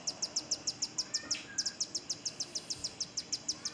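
A Rufous-tailed hummingbird gives a fast, steady series of very high, thin chips, several each second. A faint hiss runs underneath.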